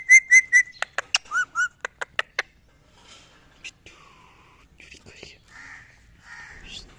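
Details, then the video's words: A pet Indian ringneck parrot talking while out in a garden: a quick string of sharp whistled clicks and chirps, then scratchy, voice-like mimicked syllables and squawky phrases, with no other clear sounds. "Talking parrot"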